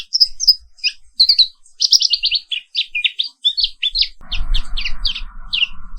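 Black-capped white-eye giving a fast, high, twittering run of short chirpy notes, barely pausing; a steady low mechanical hum joins partway through.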